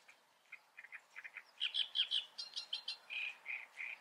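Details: Great reed warbler singing in the Eifel, Germany: a harsh, grating phrase of short notes that builds from scattered chirps into loud croaky clusters, ending in drawn-out rasping notes.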